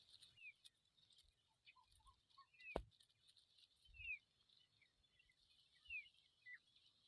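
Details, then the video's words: Familiar chat fledglings outside the nest give soft, high, downslurred chips about once a second, with a few lower short notes and one sharp knock. "Familiar chat bird babies outside the nest"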